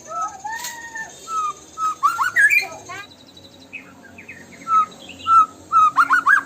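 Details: White-rumped shama lure song meant to set other murai batu singing fully: pure whistled notes, some rising and some falling, given singly with short gaps, then a fast run of bright slurred whistles at the end.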